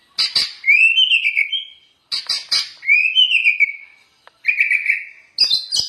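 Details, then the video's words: White-rumped shama singing energetically, a master recording for training other shamas: sharp clicking notes, each followed by a long, smooth, rising-then-falling whistle, repeated in phrases about two seconds apart. "KUMPULAN BEBERAPA SUARA OCEHAN BURUNG MURAI BATU GACOR UNTUK MASTERAN MURAI"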